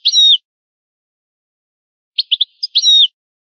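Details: Old-style song of a European goldfinch: a slurred, slightly buzzy note, a pause, then a few quick chips leading into another drawn-out buzzy phrase.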